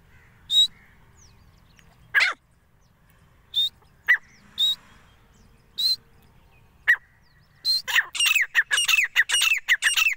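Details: Male grey francolin calling the female: scattered single squeaky and harsh notes at first, then a fast burst of rapidly repeated, ringing grating notes for the last few seconds.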